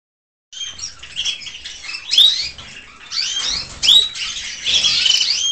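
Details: Canary chicks from several nests in an aviary, some bare after being plucked by parents, others well feathered, nearly ready to feed themselves; high thin chirps and rising squeaky notes overlap in bursts, with louder sharp calls near two and four seconds.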